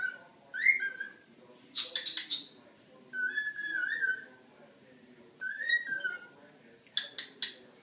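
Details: Cockatiel singing to a Havanese dog indoors: four smooth whistled phrases, some wavering and some rising, alternating with bursts of rapid scratchy, noisy chirps.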